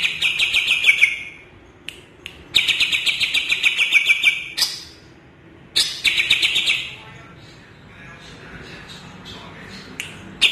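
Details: Greater green leafbird (cucak ijo Kalimantan) delivering several quick buzzy trill phrases with sharp clicks between them, followed by quieter scattered notes near the end.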